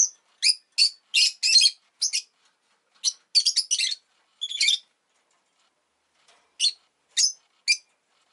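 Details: Rosy-faced lovebird at home after laying an egg, a lively run of shrill, buzzy chirps in quick succession, then a pause and three more spaced calls.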